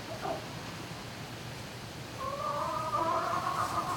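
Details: Nighttime barn turkey recording from 11-05-2018: after a short quiet stretch with a constant low drone, a sustained, quavering call begins and holds for over a second, with layered tones.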